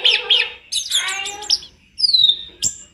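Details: Tledekan gunung singing in a training master recording: a few sharp chirps, a harsh scratchy phrase, then a clear descending whistle and high sharp notes.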